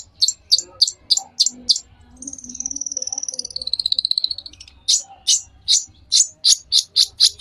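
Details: Tutor song of a long-tailed shrike for training young birds: sharp, high chipping notes in quick series, broken by a thin, wavering whistled trill that drops slightly, then more loud rapid chips.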